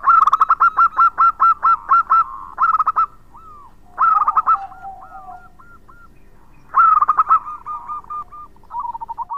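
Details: Loud local zebra dove, kept as a lure to draw other birds, pouring out fast strings of clipped repeated notes, then a series of soft curling hooked notes, followed by another staccato burst, with steady low background noise.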